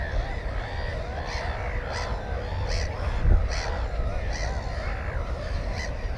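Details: Nesting black-headed gulls with one egg and one chick, GoPro recording from 15 May 2016: a string of hoarse, down-curving squawks, roughly one every second, layered over others further off and a low continuous rumble.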